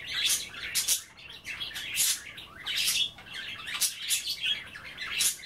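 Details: Several pet budgerigars nibbling wet kale at bath time, chattering continuously indoors: raspy squawks and squeaky warbled notes tumbling over each other in dense, overlapping bursts.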